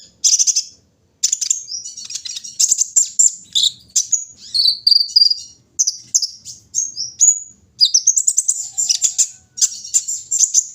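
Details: Morning dew session of a kolibri ninja, the bird pouring out a fast, high-pitched twittering song with buzzy trills and brief sweeping whistles, broken by short pauses.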